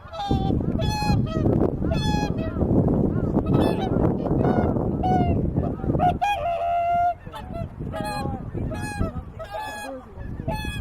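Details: Swans resting at Lake Utonai, Tomakomai, Hokkaido, giving many loud nasal trumpeting honks in quick overlapping bursts from several birds, with a steady low rumble of wind or background noise under the first half.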